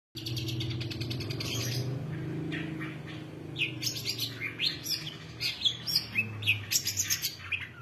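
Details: Long-tailed shrike in full, rich varied song; the first half has harsh buzzy bursts over a steady low rumble, then the second half turns into quick high chirps and short whistled notes in rapid succession.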